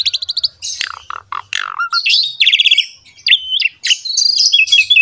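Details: Varied song of an Asian pied starling in full 'gacor' form, a lure for juvenile birds: quick chirp series, falling slurred notes, then warbling whistles that waver up and down.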